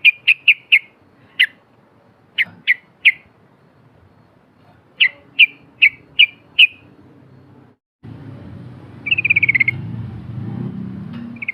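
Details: Yellow-vented bulbul, a vigorous singer flapping its wings, played as a lure for mute bulbuls: runs of sharp chip notes, then after a break a short bubbling trill over louder low background rumble.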